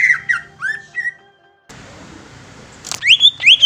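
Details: Greater green leafbird song: loud whistled and slurred phrases, some rising sharply, given in short bursts with a brief silent gap midway, then faint background hiss before rich whistles resume.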